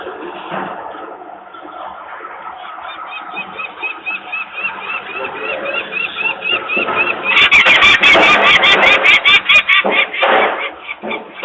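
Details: Peregrine falcon parents alarmed at workers making noise beside their nest in Włocławek, Poland, in May 2022, while the young remain on the landing. Strings of harsh repeated kak calls, then loud knocking and clattering from the work.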